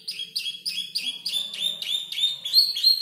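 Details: Five-month-old canary learning to arrange its song from tutor birds' voices, including mimicked ciblek, klik-klik and prenjak lumut calls; bright high notes repeated rapidly, about three per second, each dropping in pitch, with a faint low hum beneath.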